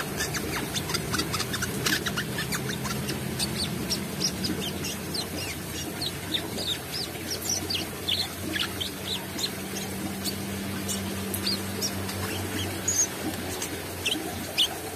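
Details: Brown-throated sunbird in full voice, beak open, delivering dense bursts of thin, high, quick notes and short descending chirps throughout, with a continuous low droning hum and faint tones underneath.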